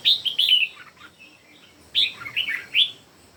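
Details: Red-whiskered bulbul song, one of three birds singing against each other: two loud, clear bursts of rich, bouncing whistled phrases, each of three or four quick notes, separated by a brief lull.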